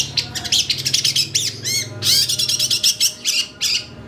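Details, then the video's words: Long-tailed shrike singing excitedly, used as a lure, with a full, varied song: rapid bursts of harsh, buzzy, high chirps and squawks, some with rising and falling sweeps, tumbling together in dense phrases over a faint low hum. "PANCINGAN CENDET AGAR BUNYI EMOSI, CENDET GACOR FULL ISIAN"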